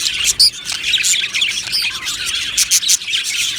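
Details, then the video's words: Budgerigar aviary full of happy birds. Busy, high-pitched twittering from many budgies blends into a steady hiss-like chatter, with a few loud, clear chirps popping out near the start and again toward the end. "Budgie Sounds for lonely Budgies | Happy Budgies Birds Sounds | birds Chirping Sounds"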